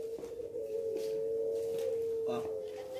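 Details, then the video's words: Caged puter pelung (Barbary dove) competing in a free-class singing contest with 40 hanging stations in Situbondo, Indonesia, on 24 April 2022. It gives one long, steady, low coo drawn out for about three seconds, with faint background chatter and a brief clatter near the end. "Lomba Puter Pelung Situbondo Kelas Bebas"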